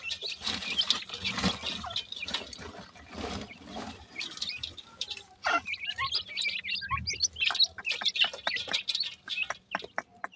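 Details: Grey francolin chicks calling to their mother as she brings food: high, thin chirps in quick, irregular bursts, most dense in the second half, over steady clicking and tapping noises.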